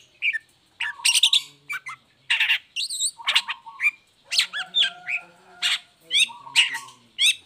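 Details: Long-tailed shrike in strong song, cage cover open, meant to prompt lazy or moulting shrikes to sing: grating squawks, chirps and brief whistled tones in irregular groups, with faint low tones underneath.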